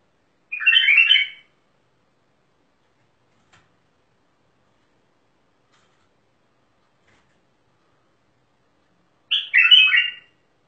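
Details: Mandali bulbul giving two brief, jumbled, warbling bursts of mellow notes, each lasting under a second and separated by about eight seconds of silence, with no other sounds.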